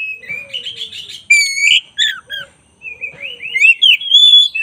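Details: Black-breasted Oriental magpie-robin in vigorous song: fast chattering trills, a loud, rich, harsh phrase, short falling whistles, then a quick, rising and twisting warble, with faint low whistles in the background.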